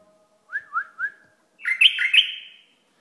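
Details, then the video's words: Bulbul from Iraq: three soft rising whistles, then a louder, richer warbled phrase with sliding notes, clean background with a faint steady hum. "بلبل عراقي"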